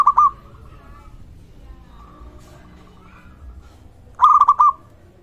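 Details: Local zebra dove singing steadily, meant to prompt other zebra doves to call: a cooing phrase cut off at the start, a long quiet gap, then a clear string of four rapid, rolling coos.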